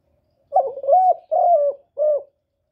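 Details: Cooing spotted dove, a call used to stir up males: one clean phrase of four hollow, mellow coos, a short opening note, two drawn-out wavering ones and a brief final coo.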